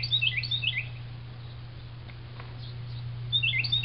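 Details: Unidentified bird singing at noon on 15 March 2009 outside a window by a blooming orchid tree in San Antonio, Texas; quick bursts of high, slurred descending notes open and close the passage, separated by a quiet gap, over a steady low hum.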